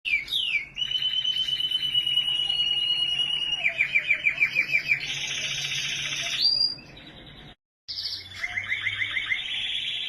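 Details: Canary from Australia singing long rapid trills, each held steady at a high pitch and then switching to a new trill: fast chattering rolls, a buzzy high section, brief rising whistles, then a short pause before the trilling resumes.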